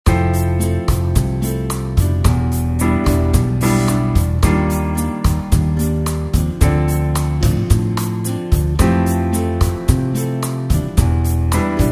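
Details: Only keyboard music is heard, steady piano chords with a deep bass line and no animal calls.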